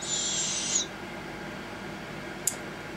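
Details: Captive young barred owls reared for a slow or soft hack release: a short, raspy hissing note opens the recording and fades after under a second, followed by near quiet and a single brief click.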